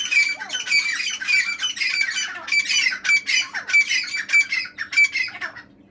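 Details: Singing partridge, giving a steady series of harsh, high, ringing squawk notes about 98 times a minute, each with a short whistled tone, against a low background hum.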